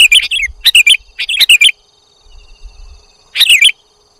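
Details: Sooty-headed bulbul lure audio: three quick bubbly phrases close together, then a pause with faint low noise, then one more phrase.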